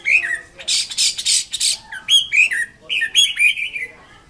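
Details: Singing Chinese Hwamei: harsh, buzzy rasping bursts up front, followed by looping whistled notes that rise and fall in short, lively phrases.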